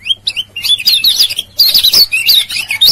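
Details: Lombok lemon-bellied white-eye male, lure recording of ciak-ciak calls: a few separate high whistled chirps, then a fast, tumbling stream of sharp twittering notes with short breaks, strong and close.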